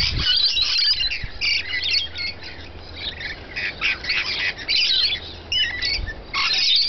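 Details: Feeding rainbow lorikeets keep up dense, rasping screeches and shrill chirps in rapid overlapping bursts, with brief pauses between flurries and a faint low hum beneath.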